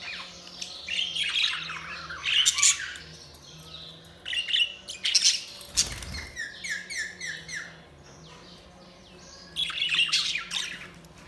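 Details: Pet budgerigars chirping: bursts of bright, busy twittering and warbling notes in several clusters, with brief squawky peaks and a faint low hum underneath.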